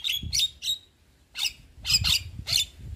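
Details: White-eyed Javan myna chattering, used as a lure for a myna that has gone quiet. Short harsh, rasping notes in two clusters split by a brief pause, with faint low thumps behind.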